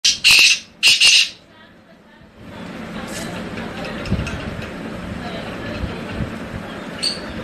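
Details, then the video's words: Tamed wild black francolin from Hangu, Khyber Pakhtunkhwa, Pakistan, giving two harsh, broadband grating notes in quick succession, then a long stretch of low background rumble and faint distant sounds. "Jangli Kala Teetar ki Awaz | Tamed Wild Black Francolin"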